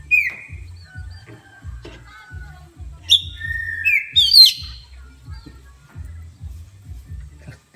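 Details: Oriental magpie-robin, provoked by a horn sound, gives an early whistled note. Midway comes a run of sharp sliding whistles and squeaky high slurs. Low rhythmic pulses continue throughout.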